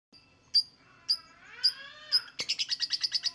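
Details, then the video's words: Lovebird singing: four shrill, high chirps about half a second apart, then a fast run of about ten rapid, even, chattering notes. "INI CARA MEMANCING BURUNG LOVEBIRD, PASTI BUNYI MENDENGAR VIDEO INI.. LOVEBIRD SINGING"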